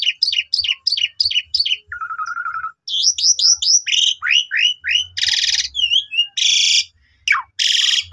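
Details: Asian pied starling song, young birds, played as a lure to get other starlings singing: quick runs of repeated high chirps, a low buzzy rattle, then falling whistled notes, harsh rasping bursts and sharp upswept whistles, with soft low thumps.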